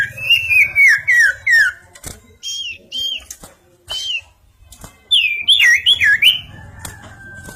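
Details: Bar-winged prinia, singing vigorously, delivers four quick descending whistles, then scattered single whistled notes, and finally a burst of deep, rapidly looping whistles, with faint clicks between phrases.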